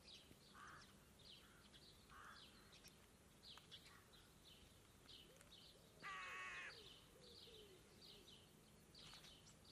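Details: A flock of rooks feeding on worms, grain and seeds on a ploughed field calls, with hoarse caws scattered through and one loud, harsh, drawn-out caw near the end, over a busy background of other distant calls.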